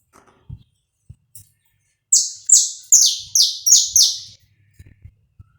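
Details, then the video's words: Uncut live recording of a saffron finch singing to warm up another bird: after quiet low knocks, six loud, high, buzzy notes each slide downward in quick succession over about two seconds. "esquenta seu canário da terra em 10 minutos"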